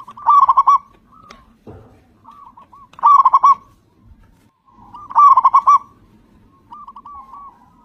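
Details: Local zebra dove, loud and used to lure other zebra doves to sing, repeats its rolling burst of quick coos three times at about two-and-a-half-second intervals, with quieter coos and a couple of knocks in the gaps.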